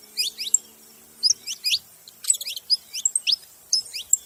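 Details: A group of saffron finches singing in bursts: clusters of two to four bright, high, slurred chirps separated by short silences, over a faint low steady hum.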